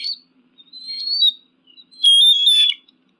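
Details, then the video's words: Eagle scream: a few high, thin whistled notes in short bursts, the last one longer and wavering, separated by brief silences, with no other sounds. "Adler Geräusch 🦅 Adlerschrei"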